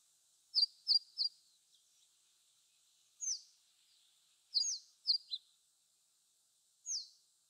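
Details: Meadow bunting (Hojiro), Japan, singing from the top of pampas grass; short bright high notes in quick groups of two or three, with pauses of about a second between bursts, over a steady high hiss.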